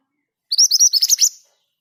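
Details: Scarlet minivet (mantenan gunung) sings a brisk rolling run of about nine piercing, high, upslurred whistles packed into under a second, against silence.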